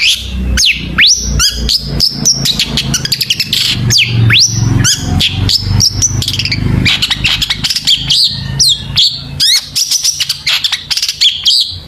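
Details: Lively long-tailed shrike song rich in fill-in phrases, meant as a lure to set other shrikes singing; rapid high chirps, sharp V-shaped whistles and trills pour out nearly without pause over a steady low hum.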